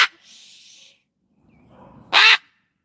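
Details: Pet cockatoo outdoors, agitated by neighbourhood dogs barking, gives one short, harsh, piercing scream near the end after faint hissy background noise and a clipped burst at the start.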